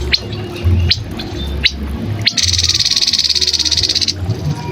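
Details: Grey-headed canary-flycatcher singing a long, fast, even trill of high pulsed notes lasting nearly two seconds, preceded by a few sharp clicks, over steady low rumbling background noise.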